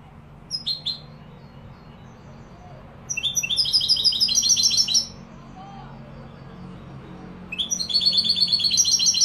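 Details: Goldfinch song in the Malaga style, Morocco: a brief pair of chirps, then two long bursts of rapid, metallic, high twittering trills separated by a pause of about two and a half seconds.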